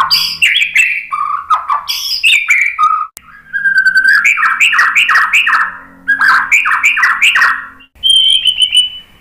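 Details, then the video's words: Loud varied song of a white-rumped shama, played to draw other birds into singing: rapid bursts of sharp chattering notes, sweet whistles and repeated falling slurred phrases, with brief pauses between sections. "Kicauan MURAI BATU bikin NYAUT ikut BUNYI GACOR BONGKAR MATERI ¦ PANCINGAN MURAI"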